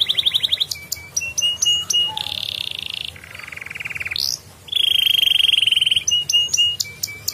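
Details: Canary in full ngedurr song, a lure recording meant to prompt quiet canaries to sing: a chain of varied phrases, with fast ticking notes, buzzy flat trills at different pitches, one rising sweep, and a bright sustained rattling trill.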